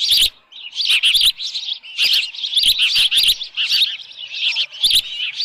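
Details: Ospreys calling at their Dunrovin Ranch nest on 10 June 2018, evening, a headless fish present: loud, dense, high chirping almost without pause, with clustered clicks and knocks throughout.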